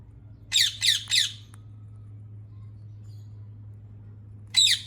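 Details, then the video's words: Three loud, rasping screeches from a rose-ringed parakeet in quick succession, then a long quiet stretch with steady low hum before another squawk begins. "ببغاء الدرة Ringneck Parrot"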